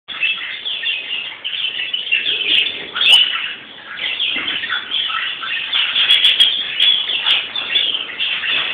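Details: European greenfinch (Chloris chloris) singing around Palm Sunday: continuous dense twittering and trilling chatter in a high band, with a few sharper clicks and brief louder notes, no pauses.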